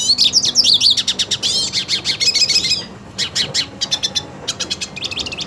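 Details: A purebred hooded siskin, itching to fight a rival siskin, sings a lively high twitter of looping whistles and rapid chirps for nearly three seconds, then softer spaced chirps follow.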